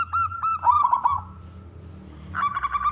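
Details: Local zebra dove, loud-voiced, singing to prompt other doves. A few hooked coos, then a brief rolling burst, a quiet gap, and coos resuming near the end.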